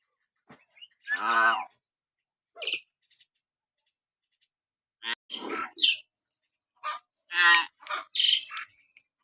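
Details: Common hill myna sounds played to provoke pet mynas to sing: irregular bursts of harsh, grating chatter and short squawks with brief silent gaps.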